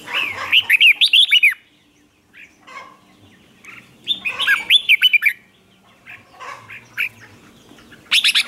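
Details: Red-whiskered bulbul singing in the contest style called hót ché, meant to provoke other birds into answering; two bursts of rapid warbled, bubbling whistles with rising and falling notes, each about a second long, separated by quiet gaps and soft scattered chirps.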